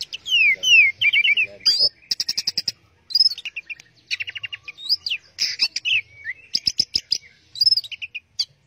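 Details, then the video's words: Orange-headed thrush delivering teler-style song, a fast, unbroken medley of descending whistled slurs, rapid trilled rattles and sharp high chips, with hardly any gaps between phrases. "Burung Anis Merah Teler"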